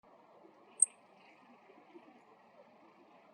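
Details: A male meadow bunting (Emberiza cioides) gives a ground call: a sharp, very high, thin note heard once, over a steady low rumble of distant traffic.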